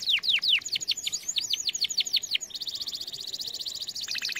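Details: Training song of a canary: a run of quick, steeply falling whistled notes switches abruptly to a dense, high, rattling trill, with a lower rolled phrase at the end.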